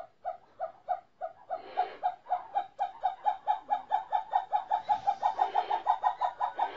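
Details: Captive snowcocks, taken a month and a half before and now beginning to sing, give a loud series of short mid-pitched notes that speed up steadily into a fast, rhythmic run, with brief murmuring in the background.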